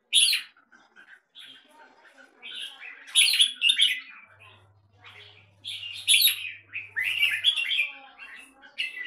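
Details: Captive red-whiskered bulbul from Singapore delivering loud chirpy, warbling phrases in irregular bursts with brief quiet gaps and a faint low hum.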